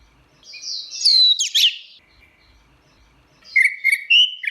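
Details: Teler-style song of an Orange-headed thrush: a high, sliding warble that descends and then breaks into a quick buzzy flourish, followed after a silence by a run of bright, level whistles rising slightly in pitch.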